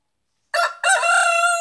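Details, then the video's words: Rooster crowing in a village in Kerala, India: a short loud harsh opening note, a brief gap, then a strong sustained rich-toned crow held steady to the end, with no other clear sounds. "Kerala village Cock singing"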